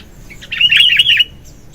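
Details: Sooty-headed bulbul, singing vigorously in the morning as a lure: one brief, rich, bubbling phrase of slurred notes lasting under a second.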